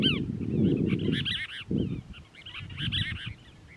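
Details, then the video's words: Cassin's Kingbird family at Crystal Cove State Park, Moro Canyon, California, December 19, 2021; continuous excited chattering of overlapping slurred, harsh notes in loose groups, mixed with heavy low wind buffeting early on. "Cassin's Kingbird Family Does Karaoke"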